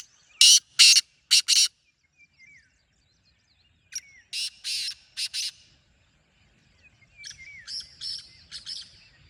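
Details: Wild black francolin calling three times: loud, scratchy, grating notes in phrases of four or five, each fainter than the last, with thin chirps from small birds between phrases.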